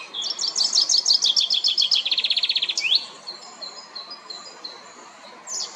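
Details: Common chaffinch, Fringilla coelebs, at La Perle du Lac, Geneva, singing to defend territory and attract a mate: loud descending trilled phrases that end in a rising flourish, then quieter high whistles and a new phrase starting.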